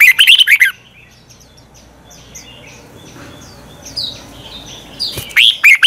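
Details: Red-whiskered bulbul training song in the twisting-voice style: a short burst of rapid warbled whistles opens, faint high chirps follow over a low background hiss, then another brief burst closes.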